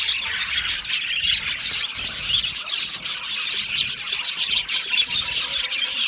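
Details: Loud calls of lonely budgerigars, stated as contact calling or distress; a steady wash of shrill, overlapping chirps and warbles, thick and unbroken for several seconds.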